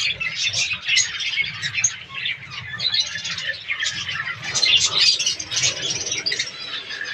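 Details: Budgerigars in a breeding colony, kept as pets in an aviary during breeding season, make overlapping squeaky chirps and chatter, somewhat softer and rougher, over a steady low rumble.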